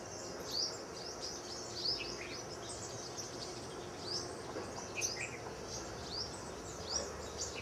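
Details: A sunbird in a garden in Bhopal in spring gives thin, sharp, high chirps, several short notes every second or so, over a steady background hiss.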